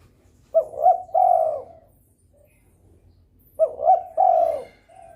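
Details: Spotted dove calling in breeding mood to provoke rivals to join in: two soft, low coo phrases about three seconds apart, each two quick notes then a longer sustained coo, against near silence.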